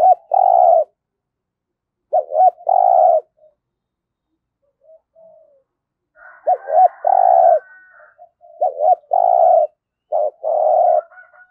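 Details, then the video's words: Trapping decoy spotted dove with a 'thổ'-style voice, repeating its low coo phrase four times with pauses of one to three seconds: each phrase is two quick notes then a sustained, pulsing coo. Faint higher chirps sound beneath. "Chim Cu Mồi Gáy Giọng Cũng Hay Dùng Kích Bổi Cũng Hiệu Quả"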